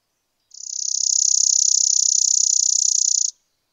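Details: A Spizella sparrow gives one steady, dry, buzzy trill of rapid, evenly repeated high notes lasting about three seconds, with a clean start and end and no other sounds.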